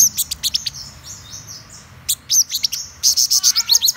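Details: High-pitched song of a black-throated sunbird, described as a top-class bird: scattered sharp chips and thin slurred whistles, ending in a quick run of bright, squeaky repeated notes.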